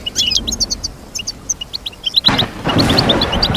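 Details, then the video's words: Twittering goldfinch song, used as a singing lesson for a kept goldfinch: quick high chirps in loose clusters, then a rushing broadband noise sweeping in over the last second and a half. "Teach your goldfinch to sing beautiful motivational songs"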